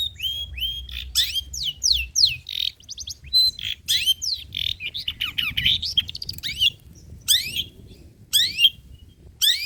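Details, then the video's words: Long-tailed shrike song, classic rich material used as a lure and tutor for other birds: rapid cascades of steep descending whistles and trills, then spaced sharp sweeping notes after a brief lull. "BURUNG CENDET MATERI JADUL BONGKAR MATERI MEWAH, COCOK UNTUK PANCINGAN DAN MASTERAN PENTET TROTOL"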